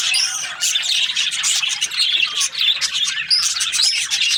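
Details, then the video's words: Budgies, Australian parrots, chirping in a dense, continuous chatter of high twittering notes and warbles, with a few short rising whistles standing out near the end over a faint low hum. "Australian parrot Budgies chirping sounds"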